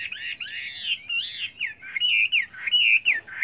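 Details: Short stretch of Chinese hwamei song with a varied repertoire: warbling, looping whistles that rise and fall in close, fluid phrases.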